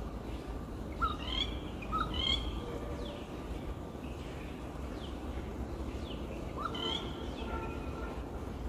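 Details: Rufous Treepie in a tree by a house, giving a few short, ringing, metallic notes in quick pairs, then a pause and one more, over a steady low rumble of background noise.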